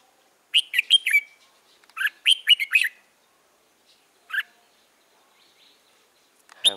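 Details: Early-season young red-whiskered bulbul with white cheeks, 13 March 2017, hung outside to try to draw in a female. Repeated short runs of bright whistled notes, a lone single note later, and a sudden rustling knock at the end.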